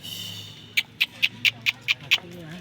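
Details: Ringneck parrot chirping: a brief tonal note, then seven sharp, high chirps repeated evenly about every quarter second, over low background hum.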